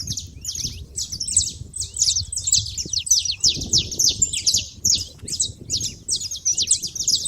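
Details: Saffron finches gathered at a feeder make a steady, dense twitter of high, clipped chirps, many birds calling together above a low background murmur.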